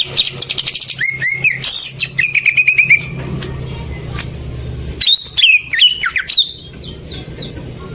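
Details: Greater green leafbird song used as a lure to get silent birds singing: varied whistled and chattering phrases with sweeping high notes and rapid trills, over a steady low engine-like hum.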